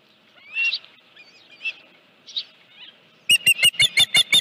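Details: Osprey at the Dunrovin Ranch nest on 31 July 2018 around 9:43 AM, a headless fish present: a few faint, scattered squeaks at first, then a sudden loud run of about seven sharp whistled chirps at the end.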